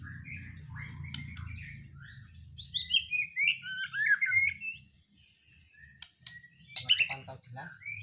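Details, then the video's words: White-rumped shama from Borneo or Nias singing: varied whistled phrases, rising and falling slurs and sharp chips jumping between pitches, with a low background hum and a brief burst of loud notes near the end. "mb gacoran dri mb Borneo/nias GEMBUNG"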